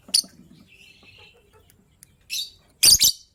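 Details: Short burst of lovebird chirping in the morning, gray and yellow-green birds, the gray ready to lay eggs: one quick squeak, a faint thin buzz, then a loud harsh doubled chirp at the end.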